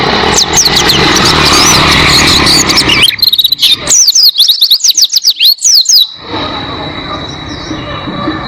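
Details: Oriental white-eye song played as a tutor recording for training cage birds: after three seconds of broadband hiss with faint chirps, a burst of rapid, high, sweeping twittered notes runs about three seconds, then fades to soft distant chatter.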